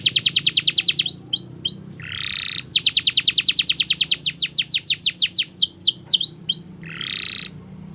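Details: Canary long song for teaching young birds: rapid trills broken by short upswept notes and two buzzy harsh bursts, varied slurred notes around six seconds.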